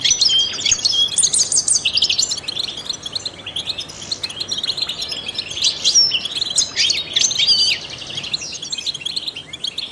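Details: A trained goldfinch sings continuously to stimulate other songbirds. Its high, liquid twitter mixes quick chirps, brief buzzes and tinny trills in an unbroken stream, heard over faint hiss.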